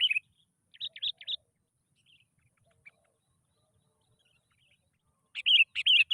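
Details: Lure recording of a sooty-headed bulbul to coax other bulbuls into song: a quick chirpy phrase, a clipped triple chirp, a quiet stretch with faint notes, then a loud run of bubbly chirps.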